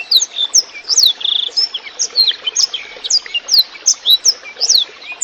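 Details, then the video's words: Blackthroat singing clearly over a soft background of trickling water, used as a training tune for songbirds: rapid high whistled notes, many sharply falling or rising sweeps, delivered in quick phrases roughly twice a second. "burung blackthroat gacor suara jernih di sertai suara gemericik air"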